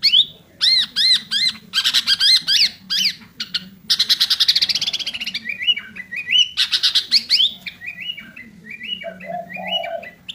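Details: Sooty-headed bulbul giving an exceptionally vigorous isian, or filled-in, song: arched whistled notes in quick groups, rapid trilled buzzes, then stepped, rising and falling phrases, with a low hum beneath.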